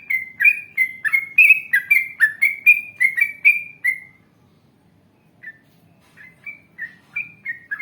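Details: Yellow-vented bulbul singing a lively gacor ngalas panjang, ropel panjang song, played to draw replies from other bulbuls. A fast run of about fifteen liquid, warbling whistled notes, then a pause, then a few sparser bubbly phrases.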